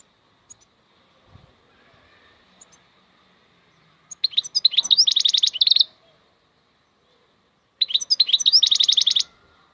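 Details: European goldfinch giving two bright phrases that open with a few varied chirps and run into a fast, even, high trill of about two seconds, with scattered faint notes between.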